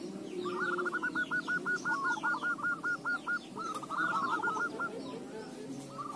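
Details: Zebra dove song used as a lure to make other doves sing: a fast run of short, clipped coos on one pitch, a brief pause, then another run. Many high chirps from other birds fill the background.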